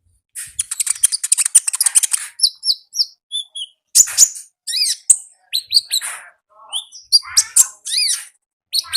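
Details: Konin in lively full song, recorded clean: opens with a rapid high chattering trill, then varied sharp chirps, slurred whistles and buzzy notes delivered in fast irregular phrases.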